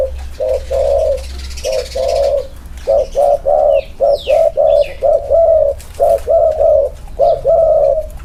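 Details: Two spotted doves compared for their inner-circle cooing style; a fast run of mellow, hollow coo notes in close pairs, loud and near, over a faint low hum.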